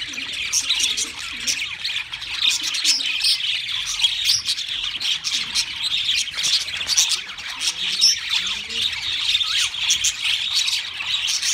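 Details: A flock of pet budgies keeps up a long, busy warble of scratchy chirps, clicks, whistled squeaks and occasional harsh squawks throughout.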